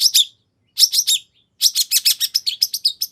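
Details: Long-tailed shrike song meant to draw another shrike into answering: a pair of harsh notes, a brief gap, three more, then a rapid run of scratchy chattering notes.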